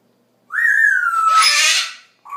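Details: Parrot indoors at night after the lights go out, giving a long clear whistle that slides gently downward, overlaid by a harsh, noisy burst, then a short higher note at the end.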